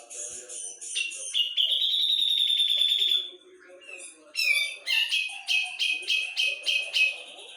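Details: Brown-cheeked bulbul of Java singing gacor: twittering leads into a sustained, quivering high whistle, a short lull, then a brisk run of evenly spaced loud chirps, some low murmuring behind.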